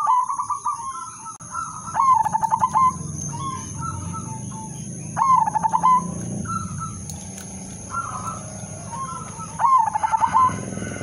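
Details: Zebra dove, udanmas silver type, in its melodious lure song: loud trilled coo phrases every few seconds between softer short coos, with a low rumbling background and a brief wing-flutter-like noise.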